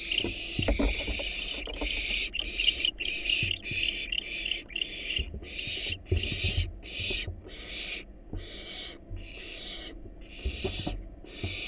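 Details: Wild barn owl nestlings in a monitored nest box, hungry while being fed a rat and a rabbit: long, harsh, breathy hisses repeated about every second, with soft rustling and thumps beneath.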